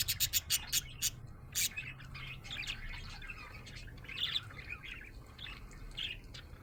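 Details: A happy budgerigar chirps. A run of sharp clicks opens the clip, followed by a loose, irregular chatter of short warbled chirps about twice a second over a faint low hum.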